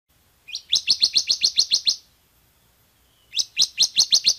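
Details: Bar-winged prinia (ciblek) song used as a training recording: rapid series of sharp, high, buzzy chirps, about ten in quick succession, a pause, then another fast burst; clean with no other sounds.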